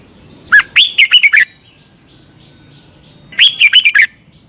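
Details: Caged red-whiskered bulbul from Thailand in a daily morning training session: two quick bubbly phrases of rising and falling whistled notes, about three seconds apart, over a faint constant high tone.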